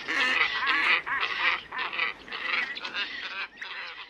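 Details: Black-headed ibis calls played as a trapping lure: hoarse, nasal honks arrive in bursts about twice a second, with brief dips between the rough, grating phrases.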